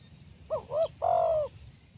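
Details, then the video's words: Trapped wild spotted dove, strong-voiced: a single phrase at moderate volume, a quick wavering double note followed by one long, steady coo that dips at the end, with low hum in the background. "Mikat Tekukur,, Suara BL ini powernya sangat kuat"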